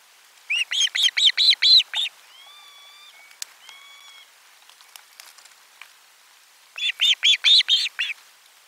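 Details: Osprey at the nest around lunchtime fish delivery, 12 July 2022: two bursts of rapid, loud, harsh chirping notes, about six to seven per burst, separated by quieter thin whistled tones and faint clicks.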